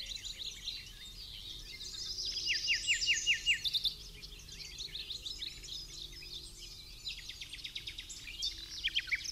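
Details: Common Nightingale singing in the background on an early misty King's Day morning walk through the Amsterdamse Waterleidingduinen dunes: fast series of sharp down-slurred notes, interleaved with other overlapping high twittering phrases.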